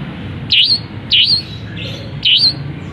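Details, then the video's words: Long-tailed shrike in a cage, singing loudly after the cover is lifted: three loud, harsh, squealing notes, each bending down then up, spaced roughly every 0.6 seconds. "Cendet Gacor Isian Kenari, gereja tarung, kapas tembak, Buka Krodong Langsung Gacor"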